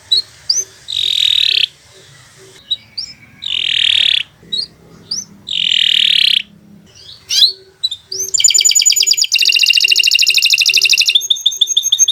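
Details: Canary singing in a recording meant as a master for training other birds: several harsh buzzy bursts with short gaps and a faint steady ticking, followed by a fast, loud, high trill.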